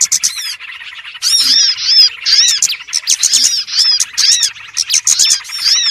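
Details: Lure sound for catching small birds: a quieter opening, then bursts of excited high chirps, slurred whistles and twittering arriving in uneven clusters, overlapping heavily throughout.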